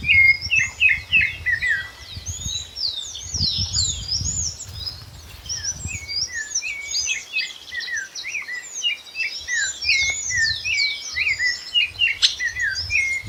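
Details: Wild chopi blackbird song: a dense, busy stream of high chirps, whistled slurs and sharp notes tumbling over one another without pause, with low wind-like rumble underneath.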